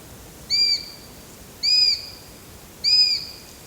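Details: Three loud, high-pitched whistled notes from a Eurasian sparrowhawk, evenly repeated about every 1.2 seconds, each steady in pitch with a slight droop at the close. The background is quiet.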